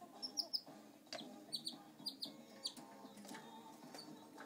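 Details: Pet canary that follows people around but is shy on camera: quiet, high, short chirps in quick pairs and triplets over a steady background hum.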